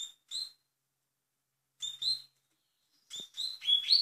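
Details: Velocista-style song of a double-collared seedeater in Portugal: paired sharp chirps, a long pause, then another pair, followed by a quick, rising burst of tumbling, buzzy notes.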